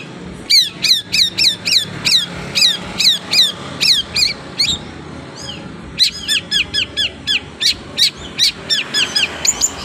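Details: Long-tailed shrike with tail spread, delivering a rapid series of bright, sharp chirps repeated about three times per second, a pause near six seconds, then a faster run of clipped high notes.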